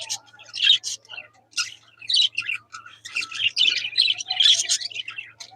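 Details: Caged budgerigars chirp while playing, biting the cage and searching for a way out; continuous busy chatter of scratchy chirps and warbles, with a faint low hum and a man speaking.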